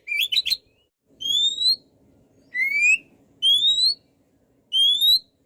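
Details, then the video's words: Oriental magpie-robin (kacer): after a brief chirpy flourish, a series of clean, drawn-out rising whistles, each about half a second long, repeated roughly every second, with quiet background between them. "MASTERAN BURUNG KACER GACOR SEKALI"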